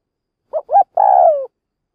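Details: Single 'lụp' phrase from a decoy spotted dove used to provoke wild doves: two short rising notes followed by a long, steadily falling coo.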